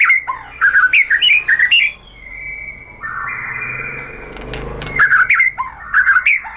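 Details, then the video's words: White-rumped shama singing to provoke a reply: bursts of rich varied whistled phrases, a pause with a sustained steady tone, then more quick warbled notes. "MURAI BATU jadi EMOSI NYAUT GACOR ¦ PANCINGAN MURAI ¦ SHAMA BIRD"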